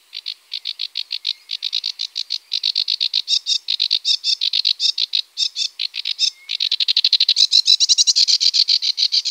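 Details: Great crested grebe with chicks at Tovačov ponds, Czech Republic, 2013–2014: high, thin piping notes repeated about four times a second, quickening into a dense, insistent run near the end.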